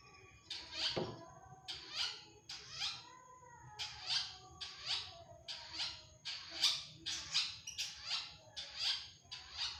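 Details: Repeated grating notes from a long-tailed shrike, roughly thirteen rough rasps in under ten seconds, each broad and scratchy. A low knock sounds in the first second.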